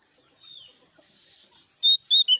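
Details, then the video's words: Three loud, clear whistled notes from a Javan grey-throated white-eye, rapid and slightly descending, after a short stretch of quiet rustling. "suara keras burung opior jawa gacor"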